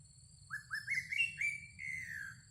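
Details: Decoy song of a greater racket-tailed drongo, five quick upward-slurred whistles climbing in pitch, then a long smooth descending whistle, with a low hum beneath.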